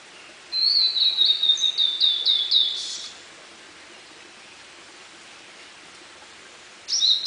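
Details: Blue-and-white flycatcher in song within a dark wood at Munakata, Japan, in May 2013; a high whistled phrase of repeated stuttering notes ending in a harsh buzzy burst, a pause, then the start of another phrase.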